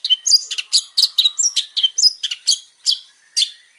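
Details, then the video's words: Male long-tailed shrike singing vigorously with many variations: a quick run of short, sharp chirps and whistled notes that jump between pitches, with brief gaps between phrases. "PANCINGAN BURUNG CENDET GACOR BANYAK VARIASI"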